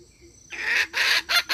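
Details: Hen calling for trapping use: after near silence, a long harsh buzzy note, then two shorter rasping notes in quick succession.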